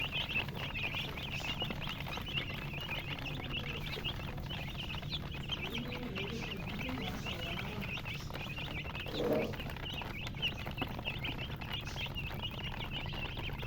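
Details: Chicks chirping steadily in a crowd, thin high peeps running throughout, with a brief lower, louder call midway and a constant low background hum.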